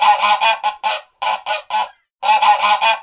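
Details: Goose giving loud, nasal, harsh honks in quick runs, about a dozen in three bursts separated by short silent gaps, each honk brassy and rich in overtones; no other sounds heard.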